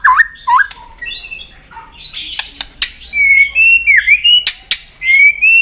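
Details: Fighting song of a white-rumped shama, tail snapping to provoke a rival; varied phrases: dipping whistles, rich warbled notes, then smooth rising whistles and sharp clicks, loud and close.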